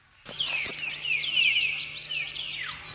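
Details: Common hill myna singing naturally: a dense, continuous stream of overlapping high whistles and chattering notes, bright and busy for nearly three seconds, with a low steady hum underneath.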